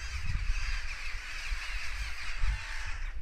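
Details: Several crows cawing in alarm, apparently reacting to a goshawk that had been hunting; rough caws blend into a steady, dense chorus over deep wind noise.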